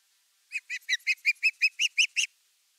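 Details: Osprey at nest #3 on 30 August 2021, evening fish delivery: a series of about ten short, clear whistled chirps, evenly spaced and rising slightly in strength, with a quiet background.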